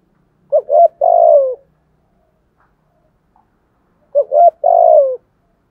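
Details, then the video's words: Spotted dove used as a decoy for wild doves, singing 'thúc gù' coos in the 'giọng thổ' voice. Two identical phrases about three seconds apart, each a quick double hoot followed by a long, falling coo. "chim cu gáy giọng thổ THÚC GÙ BÀI BẢN. giọng hạp bổi, chuyên tị những con chim cu gáy bổi ít gáy"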